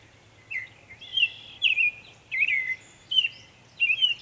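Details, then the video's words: In Savannah, New York, on 23 May 2021, a northern mockingbird makes many sounds: short warbled phrases with twisting pitch, delivered in bursts roughly every half to one second against soft background hum. "Northern mockingbird Mimus polygottos video, making many sounds"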